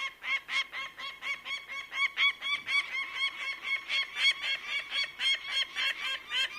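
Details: Rapid, insistent calling from a bird of prey: dense strings of harsh, ringing notes, close to four per second, uneven in spacing and swelling slightly midway, with no other clear sounds.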